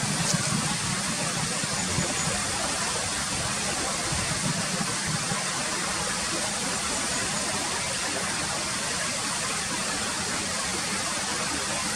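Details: Steady broadband rushing noise like a mountain stream or engine, with no animal sounds.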